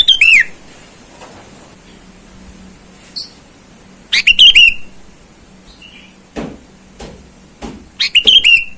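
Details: Sooty-headed bulbul calling out to rivals in the wild, a call used to lure wild birds: short bright bursts of chirping notes ending in a falling whistle, several seconds apart, with soft clicks and a faint hum between.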